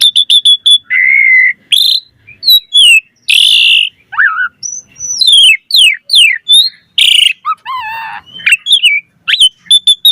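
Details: Varied full song of an Asian pied starling, used to draw other starlings: quick ticking notes, buzzy held tones, falling whistled slurs, and harsh bursts in an irregular flow.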